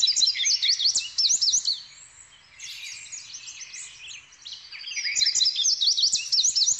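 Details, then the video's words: Indigo bunting (Passerina cyanea) singing: bursts of high, sweet, rapidly slurred notes, with a quieter stretch midway before the bright twittering resumes. "Burung "INDIGO BUNTING" Passerina Cyanea Indah & Memiliki Kicauan Merdu"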